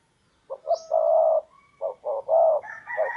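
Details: Decoy spotted dove luring wild doves: a series of low, mellow cooing notes, two short then a long drawn coo, repeated, ending with a brief higher sound in the background.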